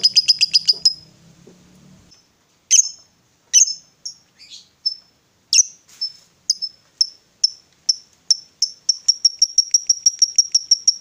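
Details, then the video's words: Female fighter lovebird, used to provoke rival lovebirds: a short burst of shrill chips, then scattered sharp high notes that speed up into a quick repeated ngekek chatter at the end. "SUARA LOVEBIRD BETINA FIGHTER, Bikin Lawan Tak bisa Nahan Emosi, Nyaut Bunyi Ngekek Panjang"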